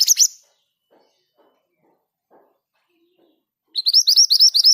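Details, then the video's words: Rolling ngerol song of a Scarlet minivet (mantenan gunung), said to sing readily even among other birds: brief high chirps, a quiet pause, then a rapid series of about ten sharp, upswept, high notes. "Suara ngerol dengan speed yang pas. MANTENAN GACOR"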